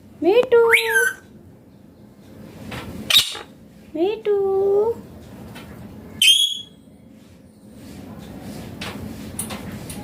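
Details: Indian green ringneck parrot, kept indoors, talking in a clear natural voice: short bursts of rising, slurred speech-like syllables and a sharp high whistle, separated by pauses over a low steady background hum.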